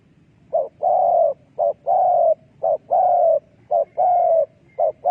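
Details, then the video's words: Spotted dove used as a trapping decoy, giving low hollow coos in paired phrases: a short clipped note followed by a longer drawn-out, slightly falling coo, repeated about once per second for five pairs against a quiet background. "លលកធ្នាក់សម្លេងដេញព្រៃ Good Dove trap"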